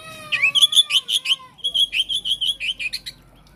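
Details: Oriental magpie-robin, a kacer meant to prompt other kacer to answer, singing a loud run of rapid, evenly spaced bright notes, pausing briefly midway before a second similar burst.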